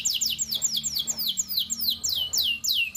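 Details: Canary singing long loper phrases in the cengkok asyik style, meant to prompt young canaries to sing: a fast, regular string of sharp, high, downward-sweeping notes repeated several times per second, clear and loud.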